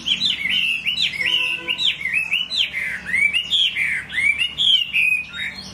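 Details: Chinese hwamei in full song, giving a rapid string of clear, slurred whistles that dip and rise, each phrase repeated in quick succession with brief pauses, bright and melodious.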